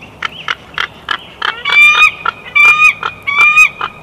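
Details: Bald eagle chortling at its nest in Big Bear Valley, June 2021, with short piping notes building into long, drawn high squeals with sliding whistled tones, repeated in bursts.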